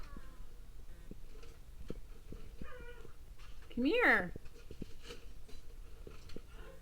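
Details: Indoor pet parrot talking while its owner coaxes it to speak: one loud, rising and wavering harmonic vocalization stands out midway, with faint quieter utterances and scattered taps around it.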